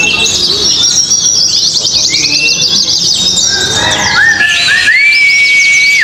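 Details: At an Indonesian singing contest, oriental white-eyes deliver rapid, high, jumbled twittering, densest in the first half, followed by a short rising whistle and a long flat whistled note near the end.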